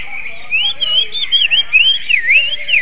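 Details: Greater green leafbird singing in a magpie-robin-like style: a flowing run of clear whistled notes that swoop up and down in a wavy, looping line, steady and unbroken for over two seconds.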